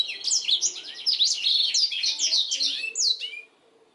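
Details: Black-throated canary singing for canary training, a rush of high twittering trills and slurred whistles that ends abruptly after about three and a half seconds.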